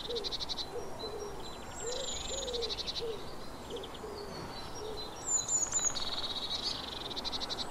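Eurasian blue tit giving high, buzzy churring bursts and thin sharp notes, while a low, soft hooting repeats steadily in the background.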